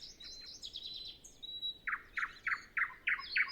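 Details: Nightingale song recorded before dawn on a calm, windless morning; high fluttering trill, a long thin pure whistle, then loud harsh notes repeated evenly about every three tenths of a second.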